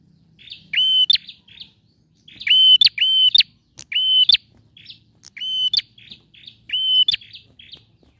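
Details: A male bar-winged prinia sings persistently. Single and doubled whistled notes with abrupt rising ends alternate with short buzzy twitters. The phrases recur about every second or so.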